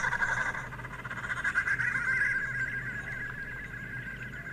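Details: Violet Wood Hoopoe, a local birding special, giving a harsh, rapid cackling chatter of about four notes a second, steady and mid-pitched, over a low background hum.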